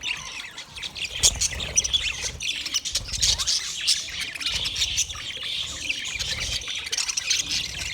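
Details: Budgies singing: a dense, continuous chatter of warbled chirps, squeaks and rapid clicks from several birds, busy and unbroken throughout.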